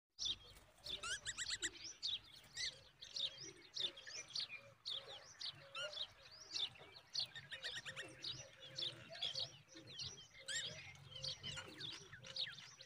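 Common babbler chicks give a dense, overlapping chorus of high, thin chirps and squeaks in rapid bursts, with a faint low hum underneath.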